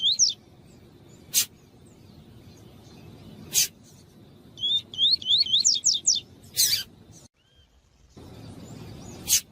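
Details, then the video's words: Double-collared seedeater (coleiro tui tui) song used to train and stimulate captive males: high, clear whistles with quick up-and-down slurred notes in a short rolling series, broken by sharp clicks and a brief cut. "CANTO DO COLEIRO TUÍ TUÍ"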